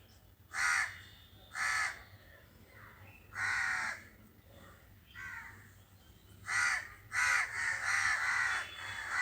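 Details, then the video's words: Crows calling while other birds go silent on hearing them: loud, harsh caws in short bursts, a pair near the start, then single caws, and a run of overlapping caws at the close over a low steady hum. "The crows are making a sound and the birds are silent on hearing the crows."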